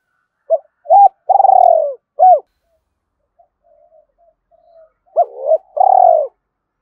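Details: Lure call of a spotted dove for stimulating other doves: short hoots and a long, rolling, falling coo, a quiet stretch with faint murmurs, then another paired hoot and long vibrating coo.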